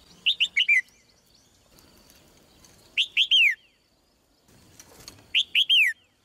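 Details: Female red-whiskered bulbul singing: three short, loud phrases, each of three or four slurred, downward-sweeping whistled notes, spaced about two to three seconds apart over quiet background.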